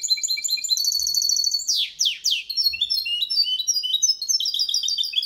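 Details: Goldfinch × canary hybrid singing a clean Malaga-style copy without errors, used to stimulate males and teach chicks. The song is a fast, dense run of high twittering notes and trills, with a swift descending sweep of buzzy slurs near the middle.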